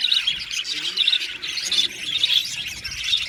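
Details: A budgie aviary colony singing and chirping, a steady dense warble of high, rapid chirps and chattering notes from many birds at once, without pause.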